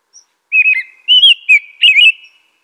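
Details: American robin singing three short warbled whistled phrases in quick succession, each rising and falling, with a steady mid-high tone running beneath; a faint high note comes just before.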